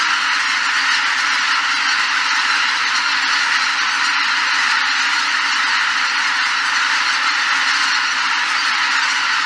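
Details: A huge flock of greater white-fronted geese takes off at Shishibana, Izunuma, Japan, on 3 November 2023. Countless high, yelping honks blend into one dense, unbroken roar that holds steady throughout.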